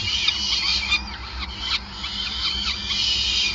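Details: Short burst of peregrine falcon calls at a Groningen nest during feeding, 5 May 2020: shrill, quavering notes tumble together continuously over a low hum.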